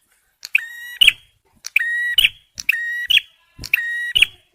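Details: Bar-winged prinia, male, in a recording meant for luring and for prompting stressed birds. Four evenly spaced phrases each hold a rich, steady tone that ends in a sharp, higher snap. The background is quiet.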